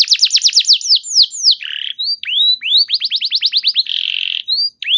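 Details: Canary song to provoke other canaries into responding: quick falling whistles, a buzzy rasp, rising slurs, an accelerating run of chirps, then a dense buzzing trill and closing notes.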